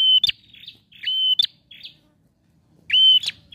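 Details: Male bar-winged prinia, used to prompt a silent bird to sing: loud, sharp, metallic chip notes with short high whistles, in bursts separated by pauses.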